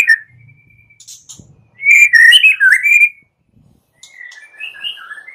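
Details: Morning lure song of a white-rumped shama meant to make shamas sing. A thin held whistle opens, then a loud tumbling phrase of rich warbled and slurred whistles, a pause, and softer twisting whistles at the end.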